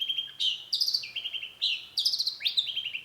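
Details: Long-tailed shrike singing a short stretch of rich, harmonic notes that jump between higher and lower pitches, with a quick rising sweep near the end; steady background hiss.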